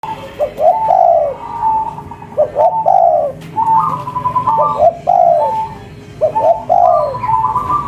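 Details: Local spotted dove (tekukur) calling lively in the cetrekan style, said to draw an answer within five seconds: short clipped notes each leading into a longer, slightly falling coo, repeated in phrases about every two seconds, some pitched higher.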